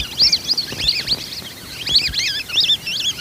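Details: Whistling duck calls played as a hunting lure: bursts of high, wavering whistled notes, rising and falling, repeated in quick clusters against a faint noisy background.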